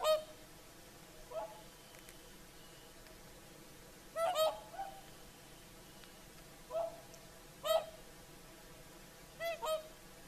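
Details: Whooper swans singing in the evening at sunset on the shore of Lake Saimaa, Finland: loud trumpeting, bugle-like honks, some doubled, in irregular bursts spaced by a few seconds over a quiet, still background.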